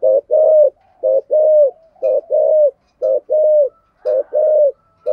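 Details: Spotted dove used as a decoy, singing in the 'giọng thổ' style with 'thúc' and 'gù' calling: steady pairs of a clipped coo followed by a longer level coo, repeated about every second.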